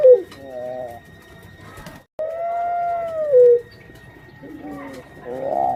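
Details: Female puter pelung dove kept as a pet and about to lay eggs, giving short harmonic coos, then a long drawn-out coo that holds level and falls away at its end, before a further rising coo. No other sounds stand out.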